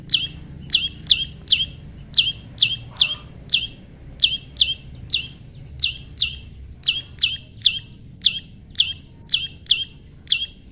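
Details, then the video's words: Prinia, tame, calling during pairing: a steady run of about twenty crisp, high, downslurred chirps at roughly half-second intervals, with a quiet backdrop. "prenjak lumut jodohan alam/prenjak jinak/prenjak bawah/prenjak putih"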